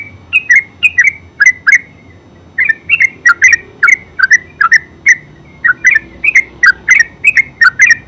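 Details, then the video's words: Terucuk, the yellow-vented bulbul, singing in lively runs of bright gurgling whistles, each phrase of three to five notes, separated by short pauses of about a second. "Terucuk full suara ngeropel"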